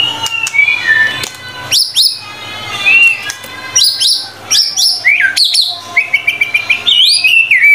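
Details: White-rumped shama singing vigorously as tutor material: sharp high chips and clicks in quick bursts, then a fast stuttering series of short whistled notes and a final rising whistle, over a low steady hum.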